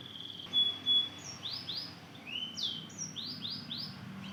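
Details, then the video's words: Young Mozambique canary × canary hybrid (mozken), two months old, just starting to sing, its twitter called ngeriwik. A long flat whistle, then a series of high upswept chirps, some in quick pairs, over a low steady hum. "Anakan burung mozken hasil silangan mozambik dan kenari baru ngeriwik belajar bunyi"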